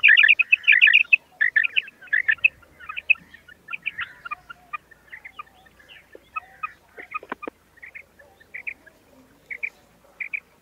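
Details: Female common quail (batair) calling: loud bursts of short, bright chirps in tight clusters, first rapid and crowded, then spaced groups of two or three quick notes repeated about every second over a quiet background.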